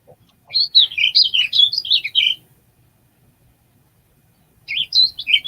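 Warbling Vireo song: a rapid, rambling warble of slurred up-and-down notes lasting about two seconds, followed by the start of another phrase.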